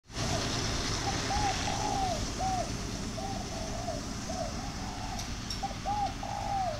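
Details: Home-bred tame spotted doves giving soft hooting coos in short repeated phrases, several overlapping, over a steady low rumble of traffic or engine noise.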